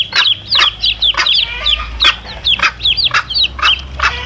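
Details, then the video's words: Chicken chicks beside their mother hen, used to lure wild male junglefowl: clear, high down-curving peeps in quick pairs, roughly two a second, mixed with brief broadband clucking pulses above a steady low hum. "SUARA ANAK AYAM DAN INDUK NYA"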